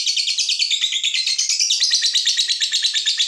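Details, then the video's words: Lovebird giving a long ngekek trill, used as a lure to get other lovebirds singing: a fast, dense, unbroken high chatter of rapid pulsing notes lasting the whole stretch. "Pancingan SUARA BURUNG LOVEBIRD INI"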